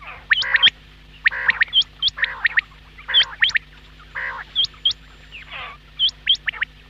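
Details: Quail giving hooked, upward-flicking whistled notes in twos and threes, broken by harsh nasal buzzy calls, irregularly repeated through the seven seconds with a steady low hum.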